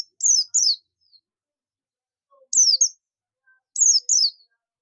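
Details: A buxtoni Oriental white-eye in ngalas calling to attract companions, giving paired bright, thin downslurred notes about every two seconds in an otherwise quiet setting.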